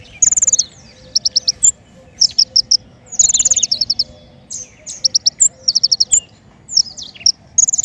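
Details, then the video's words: Trapping-lure song of the king konin: energetic high trills and chirp clusters, with several sweeping, descending buzzy phrases and repeated short groups, over a soft steady hum. "PIKAT KING KONIN SUARA PANCINGAN"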